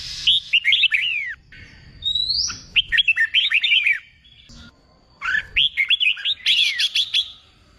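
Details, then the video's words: Red-whiskered bulbul trained for song contests, singing three phrases of swooping, liquid whistles spaced a couple of seconds apart, with a short rising squeak between. "Kích bổi nghe là hót, luyện chim hót đấu, luyện chào mào bổi sổ giọng"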